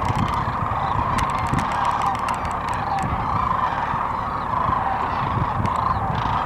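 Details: A dense chorus of sandhill cranes eating, dancing and flying at Gibbon, Nebraska, during the 2016 migration gives overlapping rolling, trumpeting rattles without a break, over a low rumble of wind or distant traffic.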